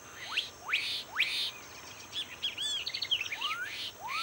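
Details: Black-capped donacobius giving loud whistled notes that sweep steeply upward, about three quick rising whistles in the first second and a half, then warbled curling phrases, and two more rising slurs near the end; steady background hiss.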